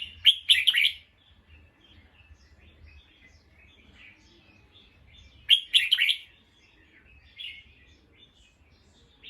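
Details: Alarmed bulbul, alert after hearing a sound, repeats a harsh chattering burst twice about five seconds apart, with soft chirps scattered between.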